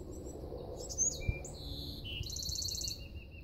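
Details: Golden-cheeked warbler song of very high, thin notes: quick slurred chips, a drawn-out buzzy note, then a fast, even buzzy trill ending on a softer lower note, with constant low rumbling noise beneath.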